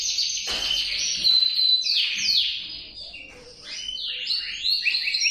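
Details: Loud male canary song of rapid trills and descending slurred notes, softening briefly in the middle before resuming with quick sweeping phrases.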